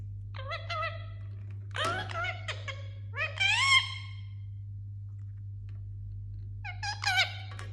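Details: A young Indian ringneck parrot playing and calling, giving a few short rising squeaky whistles and nasal harmonic chirps in separate bursts, with a steady low electrical hum underneath and quiet gaps.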